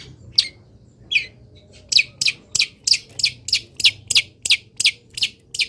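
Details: Caged long-tailed shrike singing in morning sunlight after misting; a few scattered notes, then a steady rapid run of high bright chirps at about three per second over low background hum.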